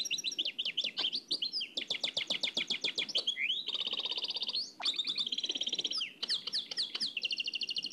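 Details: Continuous nightingale singing in the Oued El Alleug style from an old cassette tape, packed with rapid repeated chirps, rattling trills, a rising slur and tight buzzy runs, with hardly any pauses.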